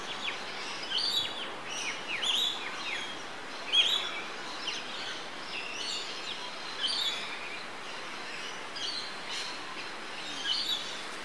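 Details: Yellow honeyeater at Port Douglas, Queensland, Australia, 20 October 2013, filmed on a Panasonic Lumix GH3; clear high whistled notes repeated about every one to two seconds, with faint other chirps and constant outdoor noise.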